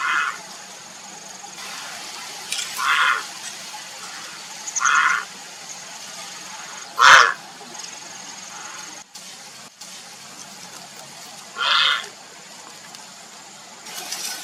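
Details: Grey heron seeking a mate, uttering scattered rough squawks at irregular intervals, mostly moderate, with one sharper louder croak midway, against constant faint hiss.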